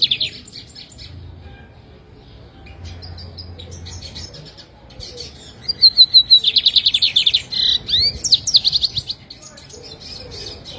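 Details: Jataúba, Pernambuco lined seedeater (bigodinho pintor), owned bird: after quiet chips, a loud burst of rapid repeated high buzzy notes runs about three seconds, broken by rising whistled sweeps, over faint low background hum.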